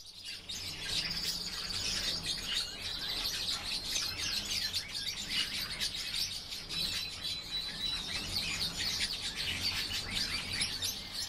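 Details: European bee-eaters calling together, a dense chorus of overlapping high, rolling chirps that runs without pause for the whole stretch, with a steady low hum underneath.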